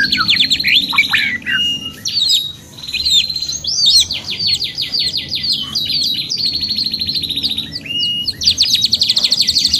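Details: Canary singing continuously with rapid repeated trills, each held a second or so before switching to a new note, interspersed with sharp upward-sweeping whistles; no other sounds stand out.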